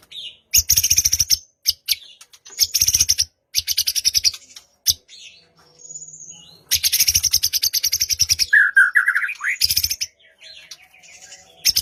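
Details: White-rumped shama song meant to trigger a silent bird to sing, morning or evening: loud bursts of rapid harsh rattling chatter repeated several times, with a short slurred whistle and thin high notes between them.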